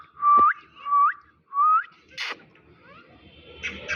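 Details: Indian ringneck parakeet, kept as a pet talking bird, gives three loud whistled notes, each sweeping upward at the end, about half a second apart, then a harsh noisy burst and faint scattered sounds.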